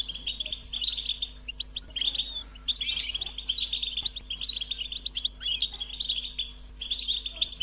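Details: Hungry European goldfinch chicks call so their parents can find and feed them. Bursts of thin, high, rapid chirps and twitters come in quick clusters with brief gaps, set against a faint steady hum.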